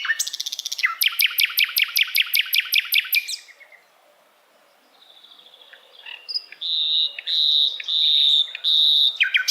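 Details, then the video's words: Asian brown flycatcher singing a tutor song meant for other songbirds to imitate: a long, even, rapid trill of clicking notes, a quiet gap, then a series of clear high whistled phrases repeated about every second. "Sikatan londo masteran yang mudah ditiru segala jenis burung kicauan"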